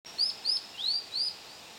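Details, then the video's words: Scarlet minivet recorded on 6 June 2010 gives four thin, sweet, rising whistled notes, about three per second, high-pitched, over a faint steady background hiss. "Scarlet Minivet"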